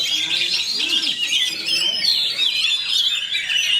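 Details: Oriental magpie-robin (kacer), fighter type, in a speedy, closely packed rolling song of high twitters and slurred whistles, steady throughout, with soft low notes early on.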